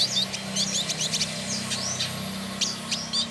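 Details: Trotol, a male village indigobird from Bandung, Indonesia, sings chattering clusters of high, squeaky, tumbling notes with short slurred whistles between, over a faint low hum.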